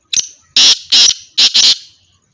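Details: Black francolin (teetar), kept as a pair: five loud, harsh, grating notes, a short one followed by two long ones and then a closely spaced double, over roughly two seconds with no other sounds.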